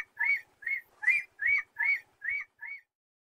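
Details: Eagle calling, a run of seven short, clear, arched whistled notes, each rising and then falling, spaced about every third of a second and fading slightly toward the end, over a quiet background.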